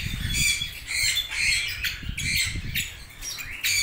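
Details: Red-rumped parrots squawking in rough, grating bursts about every half second, with low rumbling background noise underneath.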